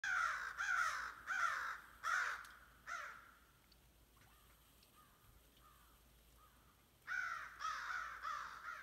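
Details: An American Crow flying by gives loud, harsh, slightly descending caws, a quick series of four, a pause, then three more, after another crow had been cawing.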